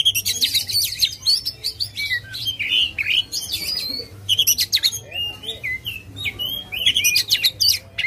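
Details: Oriental magpie-robin in aggressive song with spread tail, used as a lure for a lazy bird: lively mix of high trills, sharp chirps and slurred whistles in repeated bursts with short gaps.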